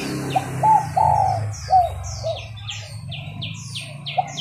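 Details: Short run of soft coos from a female spotted dove used to spur males to coo, followed by a quick string of high, sliding chirps from another bird over a low background hum.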